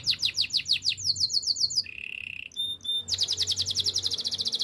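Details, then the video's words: Timbrado canary from Spain singing for training: a fast pulsed high trill, then a lower continuous rolling trill, two bell-like notes, and a rapid bright trill to finish. "Canary spanish timbrado song for training"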